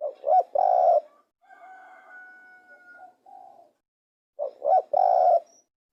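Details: Spotted dove cooing: two short rising notes then a longer steady coo, the phrase given twice about four seconds apart, with faint drawn-out tonal calls in between.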